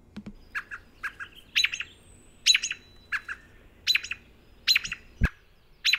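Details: American robin (Turdus migratorius), alarm call: warning of a threat such as a dog, person, coyote or fox.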